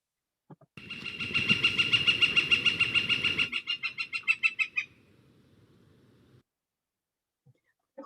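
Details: A Northern Flicker in Montana gives its rapidly paced song, a long series of loud, ringing kee-kee-kee notes, about three per second, gradually slowing and fading, with soft background noise. This song is mostly heard in the nesting season.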